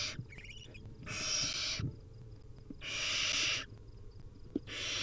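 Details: Begging barn owl chicks, wild, at feeding time: drawn-out harsh snoring hisses, strong and broad, alternating with brief gaps holding faint thin squeaks and light knocks.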